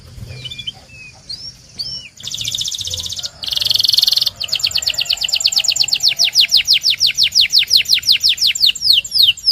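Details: Belgian canary song for training canaries: scattered soft chirps, then two dense buzzy rattling bursts, followed by a long run of regular high descending whistled sweeps, roughly three per second, growing louder.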